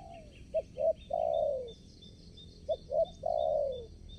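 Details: Spotted dove calling as a decoy for trapping wild doves at a new spot. It gives two phrases of short hollow notes, each ending in a long drawn descending coo, with high pulsing insect sounds throughout.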